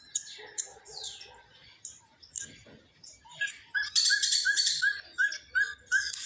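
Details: Winter song of the elf owl: after scattered high chirps, a rapid run of short, puppy-like yelps repeated several times a second, each note rising then dropping, with faint other birds behind.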